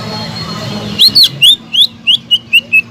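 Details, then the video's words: Energetic greater green leafbird song meant to provoke a bird that has stopped singing: loud, clear whistled notes, the first ones rising then falling, then a steady run of shorter, lower whistles about every quarter second. "PANCINGAN CUCAK IJO GACOR"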